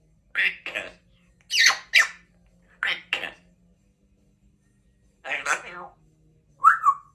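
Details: A pet African grey parrot indoors giving big kisses and saying "I love you": paired speech-like syllables in bursts separated by silences, ending with a short whistled, falling note.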